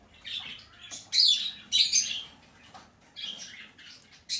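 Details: Green-cheeked conure chick, red-cheek pineapple variety, hand-tame, dated 25 April 2020: loud grating squawks come in quick clusters, two strong harsh bursts near the start and middle, then a run of softer hoarse calls.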